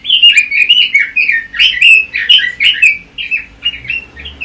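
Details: Song of the red-billed leiothrix, known as Pekin robin, recorded for tutoring other songbirds and competition practice: loud, continuous run of quick, slurred warbles and chirps with crisp high accents, easing to softer phrases at the close.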